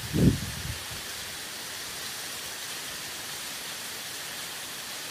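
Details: A low thump at the start, then an even hiss of broadband noise with no animal sound.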